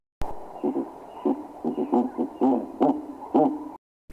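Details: Pharaoh Eagle-Owl, a southern African bird call: a run of about ten deep, short hooting notes at uneven intervals, over a steady low hum.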